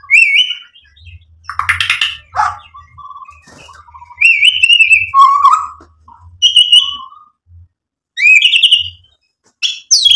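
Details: White-rumped shama singing energetically as a lure to provoke rivals into replying: short bursts of varied whistled phrases, rising and falling, separated by brief pauses, with quieter low twittering between phrases.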